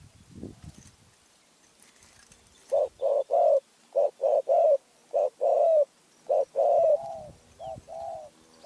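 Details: Spotted dove from Phrae, Thailand, singing loud, clear coo phrases: a run of evenly spaced short coos, then longer drawn-out notes with a slight downward bend, against a quiet background.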